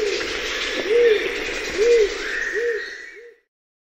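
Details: Rose-crowned fruit dove (Ptilinopus regina) giving four slow, soft, low hoots about a second apart before the sound cuts off. Fainter higher birdsong runs underneath.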